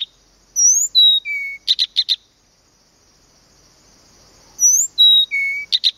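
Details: Blyth's reed warbler singing at Planta, Podlaskie Voivodeship, Poland: a clear phrase of pure whistles, first rising, then level and lower, then a burst of rapid clicks, with the same phrase returning after a short pause.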